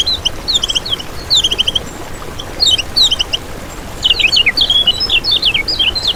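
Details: Lemon-bellied white-eye singing for use as a trapping lure: short clusters of high chirps early on, then a lively continuous twittering stream of sweeping high notes.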